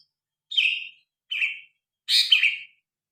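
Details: Grey-cheeked bulbul, phone recording with original sound: three harsh, buzzy chirps, the last one doubled and louder, over a quiet background.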